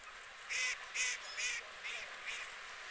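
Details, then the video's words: White geese, listed with UK water birds, call in loud, harsh, nasal honks, five in quick succession about 0.4 seconds apart, each louder burst fading slightly toward the end. "White Geese"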